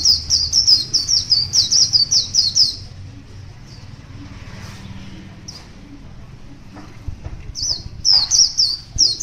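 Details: Wild white-eye in the morning, bursts of high, fast twittering notes at the start and end separated by several seconds of near silence with faint background rustle.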